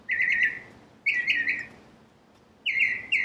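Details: Northern cardinal singing clear, loud whistled phrases, each a quick run of downslurred notes blurring into a longer slurred whistle, with a phrase starting every second or so and a quiet pause between.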